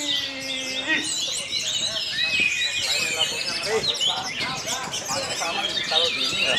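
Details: Singing contest in Karawang, Indonesia, with orange-headed thrushes competing: dense, continuous high whistles and chattering trills from several birds at once, music playing underneath.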